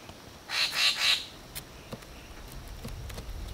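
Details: Racket-tailed treepie at a forest pool in Huai Khayeng Nature Park, Kanchanaburi, Thailand, giving three harsh, grating bursts in quick succession within about a second, then quiet with a few faint clicks; this raucous call signals the treepie is arriving.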